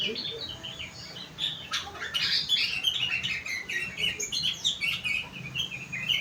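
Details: Sooty-headed bulbul, kutilang, pouring out a dense, fast twittering song filled with rengganis and cucak wilis phrases: high chattering notes almost without pause after the first second, over steady low background noise.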